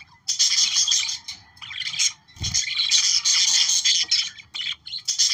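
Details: Budgerigars warbling to encourage breeding, a busy stream of high chirps, squeaks and buzzy trills broken by brief gaps, with one low thud in the middle.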